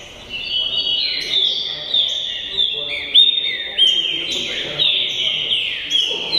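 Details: Kept green-winged saltator, tricolor type, giving varied whistled phrases of downward-sliding notes, some sharp upward flicks, sung continuously in a loose rhythm with soft background noise.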